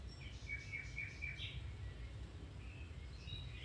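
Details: Domestic canary song meant for training other canaries: a quick, even trill of repeated high notes for about a second, then scattered short chirps over a steady low hum.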